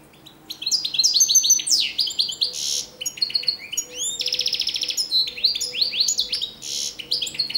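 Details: European goldfinch of the Oujdi type, recorded in 2013: a rich, rapid twittering song of bright high notes, sweeping slurs and dense buzzy trills, delivered almost without pause across the whole stretch, with no other clear sounds.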